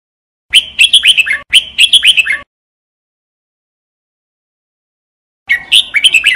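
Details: Jambul bulbul, the red-whiskered bulbul, during singing training: two rapid chattering phrases of slurred whistles back to back, a long silence, then the phrase again.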